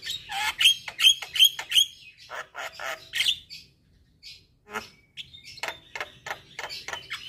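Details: Javan myna (jalak kebo), caged bird, song played morning and evening as therapy: four quick whistled notes, then scratchy chatter, a pause, and scattered harsh clicks and short notes.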